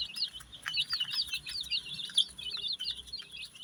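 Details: A crowd of colour-dyed baby chickens peeps without pause, shrill quick chirps overlapping one another at high pitch, over a quiet background.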